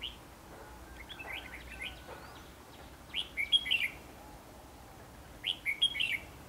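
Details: Red-whiskered bulbul decoy singing beside a trap to lure wild birds, Hòa Bình, Vietnam, 28 March 2016; short bursts of bright, bubbly whistled notes, two phrases a few seconds apart, with men talking nearby.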